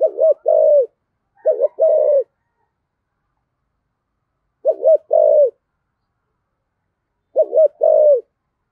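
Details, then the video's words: Spotted dove singing in the deep 'giọng thổ' style, used to spur other doves to coo along; four mellow two-part coo phrases, a quick double note then a longer falling coo, spaced a few seconds apart. "cu gáy giọng thổ giọng hay thúc gù bổi nghe gáy theo sung mãn"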